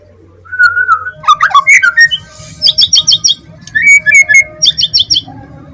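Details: Young forest-caught white-rumped shama from Semarang, described as tame but brave, singing steadily as its cage is held: mellow whistled phrases, twisting rising and falling notes, and bursts of rapid, high, repeated chips, with faint low handling rumble.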